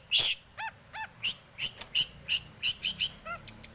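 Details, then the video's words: Long-tailed shrike, aroused and singing with full fill-ins to make other shrikes sing: a loud harsh rasp, two soft wavering downslurred whistles, a string of sharp chirps, then thin high pips. "cendet gacor BIRAHI full isian ini MANJUR pancingan cendet agar bunyi"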